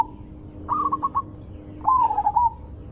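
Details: Zebra dove with a big, sweet voice, used for luring other zebra doves. A quick string of four clipped notes comes first, then a longer rolling, quavering trill.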